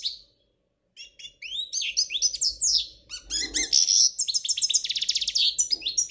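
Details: Flawless song of a Spanish royal European goldfinch: after a brief note and pause, a lively stream of high tinkling twitters, buzzy rattles and rapid trilled notes builds steadily, with a soft low hum behind.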